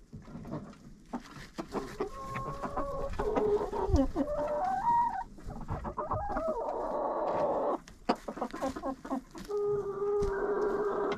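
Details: Chickens in a coop, recorded with a GoPro inside: overlapping drawn-out, wavering calls rise and fall in pitch over a steady clucking chorus. A long level, nasal note closes the stretch, with scuffling in the background.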